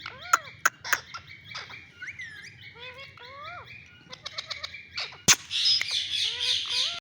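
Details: New green ringneck parrot chattering in a varied stream of clicks, short upslurred whistles and squeaky notes, ending in a loud harsh squawk and a burst of rapid scratchy calls.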